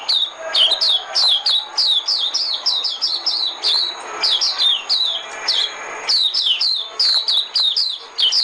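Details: A white-eye sings as a decoy, giving steady, rapid, high whistled chirps that slide downward, repeated almost nonstop with slight pauses, over a quiet hiss.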